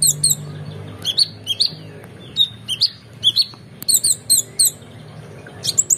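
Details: Oriental magpie-robin giving varied emotional song for competition-bird training: paired rising whistles and sharp high chips in spaced groups, a brief faster cluster mid-way, with faint low hum.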